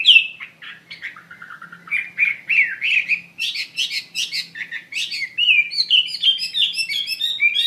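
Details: Varied, energetic song of a Chinese hwamei: wandering whistled phrases, then loud clipped chattering notes, ending in high, rapid, bubbling whistles.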